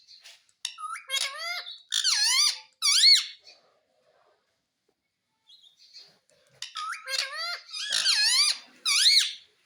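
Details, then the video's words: Parrot said to talk, saying mummy and papa: two bursts of rapid, wavering, harmonic utterances separated by a silent gap of about three seconds. "मम्मी पापा बोलने वाला तोता _ Mummy ka Pyaara Mitthu _ Parrot Talking Video"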